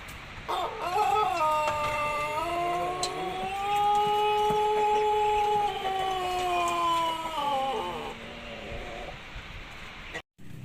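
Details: A Pelung rooster, recovering from a throat illness with mucus that changes its crow, gives one long, drawn-out crow that rises, holds a steady tone, then falls away.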